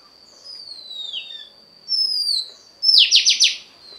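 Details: Oriental magpie-robin female voice for stimulating the male: two soft drawn-out descending whistles followed by a short burst of four loud buzzy downward strokes, with faint background hiss.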